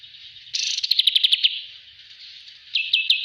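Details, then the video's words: Master recording of a kapas tembak bulbul: a harsh buzzy burst leading into a quick run of high chirps, a short lull, then a few more sharp notes. "master Ampuh burung kapas Tembak"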